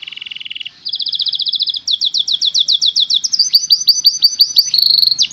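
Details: Canary song played so other birds are provoked into singing and copying it: a steady low trill, then a faster high rolling trill, then a run of sweeping slurred notes and quick rolls, clean and loud.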